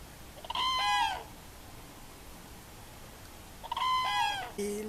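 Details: Common Cranes wintering in the Val de Loire, France, among about 10,000 that winter between Moulins, Sancerre and Bourges, give two loud, rolling, overtone-rich trumpet calls about three seconds apart, then a brief lower note.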